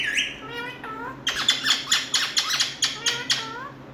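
An Indian ringneck parakeet gives a few clear, falling notes, then a fast run of harsh, shrill squawks, about three each second, in a small room.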